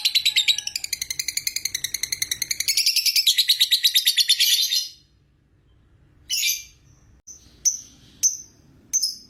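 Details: Lovebird long ngekek trill, said to make other lovebirds keep calling: about five seconds of fast, buzzy high chatter that stops abruptly, followed by a few short, sharp chirps with pauses between them.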